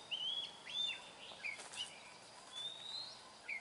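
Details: Wild Oriental magpie-robin giving short whistled phrases, bright and slurred, some dipping and some rising, spaced by short pauses, over soft environmental noise.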